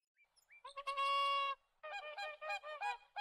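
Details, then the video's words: Whooper swan giving nasal, trumpeting honks: a few soft notes lead into one long, steady, resonant honk, then a short pause and a run of shorter, broken honks. "Whooper Swan [Cygnus Cygnus]"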